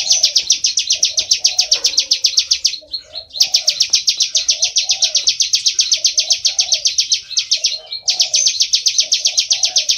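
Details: Bar-winged prinia, a rice-field bird, giving a fast, high, scratchy rattle of buzzy notes in long bursts with brief pauses, over soft lower warbling; used as a lure call that draws prinias close.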